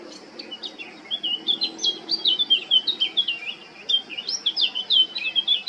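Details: Eurasian blackcap, male, singing in Baška on Krk island, Croatia, 20 July 2022: a quiet opening followed by a lively, continuous warble of mellow whistles and twittering notes rising and falling in pitch.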